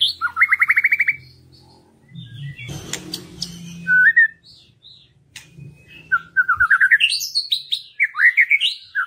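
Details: White-rumped shama song used to trigger singing in reluctant birds: a quick burst of repeated whistled notes, a noisy break, then rising chattering phrases climbing in pitch toward the end.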